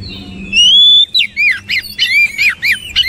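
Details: Oriental magpie-robin song beginning with a long, clear rising whistle, then a rhythmic series of about eight loud, looping slurred notes in quick succession.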